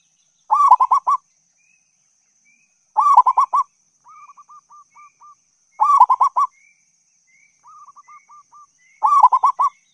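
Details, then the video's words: Local zebra dove song used as a lure to attract other doves: loud bubbling cooing phrases of quick rolled notes repeat about every three seconds, with softer series of short even coos between them in a quiet setting. "Suara Perkutut Lokal GACOR ‼️ Masteran Pancingan Perkutut MANJUR"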